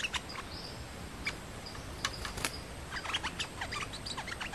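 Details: Nok dok taeng, a Thai songbird: a challenging male facing a resident male, the pair fighting rather than singing. Sharp, scattered high chirps and short clicky notes, with several thin sustained whistles and soft background noise.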